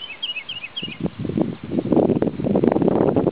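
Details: Male woodlark singing at Sceaux-d'Anjou, Maine-et-Loire, France, on 2 July 2009: a quick run of rolling, slurred high notes in the first second, then buried under loud low rustling and handling noise.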